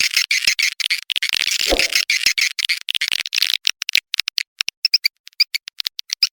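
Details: Swiftlet lure call, blended from proven calling sounds to attract swiftlets: a dense, buzzy twittering chorus gives way to sharp, rapid clicks and short chirps.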